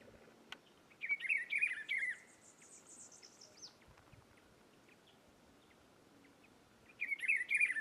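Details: Rufous-browed peppershrike (Cyclarhis gujanensis) in the caatinga of Rio Grande do Norte, Brazil, singing a rich, warbled whistled phrase, repeated about six seconds later, over faint thin high chirps in the background.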